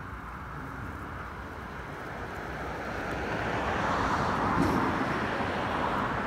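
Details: Outdoor wind and traffic-like roar that slowly swells louder toward the end, with no goose or other animal calls.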